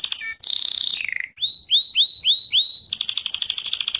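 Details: Training lesson of canary singing: a buzzy descending roll, five rising whistled notes repeated about every quarter second, then a fast high twittering trill.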